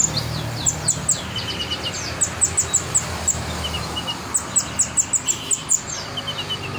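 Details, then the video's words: Kolibri ninja sunbird singing for tutoring: two rapid trains of sharp, high ticking notes with softer lower chirps in between, over a faint rumbling background. "Kolibri Ninja Gacor Masteran Jos"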